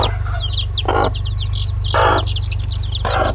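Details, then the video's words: Chicken chicks peeping: many rapid, high, thin descending peeps run throughout, broken by three short, low, harsh clucks about a second apart. A steady low hum sits underneath. "PINTINHO PIANDO, Som de Pintinho, SOM DE GALINHA"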